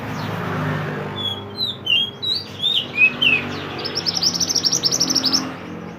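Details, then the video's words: Mantenan, the pied bushchat, singing briskly as training material for songbirds: a series of sharp whistled slurs falling in pitch, then a fast rattling trill of high chirps, about six per second, with a low hum behind. "mantenan gacor burung masteran / chirping sound bird"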